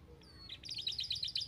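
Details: Canary song used to stimulate lazy canaries to sing: a thin high whistle, then a fast run of bright, repeated chirping notes that grows louder toward the end, over a low background hum.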